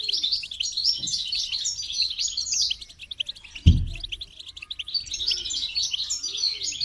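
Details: Goldfinch singing a fast run of bright, liquid twittering notes, pausing briefly midway where a dull knock sounds, then resuming the high jingling chatter.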